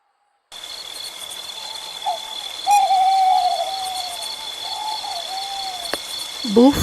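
Tropical Screech-Owl giving a soft, rapid, purring trill of low hoots lasting about three seconds, over a steady electronic hum; a brief rising note cuts in at the end.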